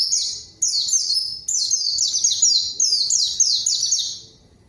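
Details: Lively white-eye song, a lure meant to provoke a rival and make quiet birds sing: nearly continuous high-pitched chattering phrases of rapid descending slurred notes, fading out at the end.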